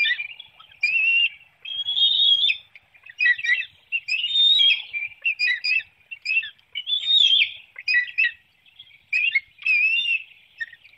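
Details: Bald eagles at a nest in Hanover, Pennsylvania, on 9 June 2019 at 7:04 a.m., seen on a webcam as an adult delivers a small fish and feeds an eaglet; high, thin twittering chirps come in bursts with short silent gaps.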